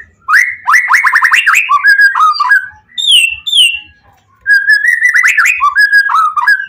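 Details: White-rumped shama, the Pastol PTRK BF bird, singing with full emotion as a lure for other shamas to answer: bursts of rapid rolling whistled notes, two high clear slurred whistles in the middle, then a warbled phrase after a pause.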